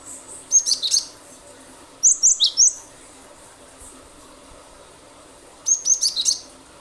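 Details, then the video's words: Cinereous tit in lively 'gacor' song, meant to make other birds sing; three bursts of sharp, high chirps, the first two close together and the last after a pause of about three seconds, with a quiet background. "pancingan ampuh glatik batu gacor nembak nembak pasti burung lain ikut bunyi"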